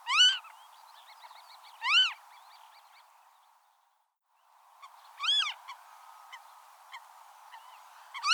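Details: Western marsh harrier (Circus aeruginosus) recorded in the wild, giving four short, high, arched whistles in two pairs, with a quiet gap between them and soft background rustle and faint chirps.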